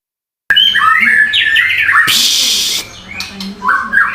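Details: Chirping bird song after a brief silence: high warbled notes and rising-falling whistles, interrupted midway by a loud harsh rasping burst.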